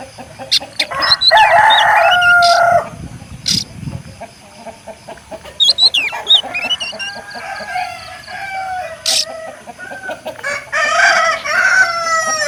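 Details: Rooster crowing: two long harmonic crows with a strained, cracking ending, separated by scattered clucks and short chirps from other birds in the background.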